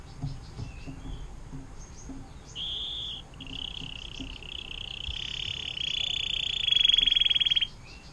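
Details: Caged canary with a long 'air mancuran' song for tutoring other songbirds: short high whistled notes, then sustained bright trills that build into a fast, loud pulsing roll near the end.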